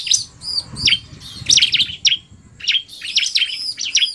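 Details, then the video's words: Combined male and female bar-winged prinia song, the male in narung style, the female fast: clustered sharp chirps and downward-swooping whistles in bursts, separated by brief gaps, with faint low background rumble. "Kombinasi Suara Ciblek NARUNG dan Betina Cepat"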